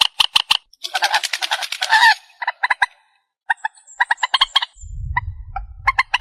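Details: Lure calls of purple swamphen for hunting at night, a dense burst of rapid harsh notes followed by choppy repeated nasal pulses in uneven runs, with a low rumble near the end.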